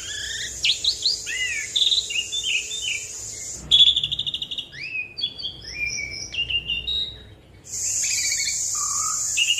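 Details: Asian pied starling song used as a lure to prompt other birds to sing: mixed whistles, slurred upward notes and chattering phrases over a steady high insect-like hiss that stops briefly midway.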